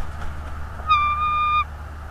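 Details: A single drawn-out, level whistle from a bald eagle, lasting under a second, at a North East Florida nest camera on a January 2022 afternoon; a steady low background rumble runs beneath it.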